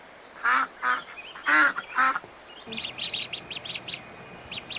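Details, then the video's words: Little ducks: four loud, nasal quacks in the first three seconds, then a run of thin, high peeping notes. "صوت البط الصغير صوت البش بطوط جميلة"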